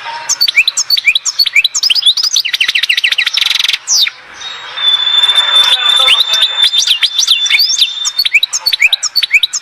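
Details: Goldfinch, European, singing at Oued Zhour in Skikda: rapid twittering notes with a dry buzzy rattle, a brief pause, then a thin sustained whistle under continued lively chirping.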